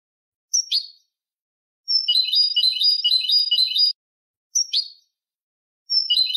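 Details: Canary performing malagueño song for bird education: short sharp whistle-and-chirp phrases alternate with a two-second rolling trill of fast repeated bubbling notes, over a silent background.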